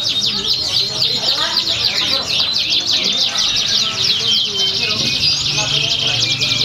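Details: Competition canary recorded at a Pringsewu song contest on 22 September 2019; rapid rolling trills and repeated sharp down-slurred notes, many per second, layered with other birds and low background chatter.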